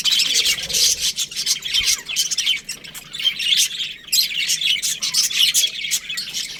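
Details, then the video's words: Many budgerigars during breeding season keep up a busy, high-pitched chatter of rapid chirps, scratchy warbles and squeaks, with loudness rising and falling in waves. "Cute budgies chirping sounds"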